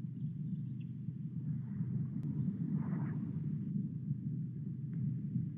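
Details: Steady deep rumbling machinery noise fills the recording, with a single sharp click and no animal sounds.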